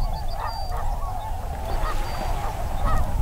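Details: Tundra swans resting and feeding on a Wisconsin marsh during spring migration, energetic and squabbling over dominance, give a steady chorus of soft, high honking and yelping calls over a low rumble of wind or water.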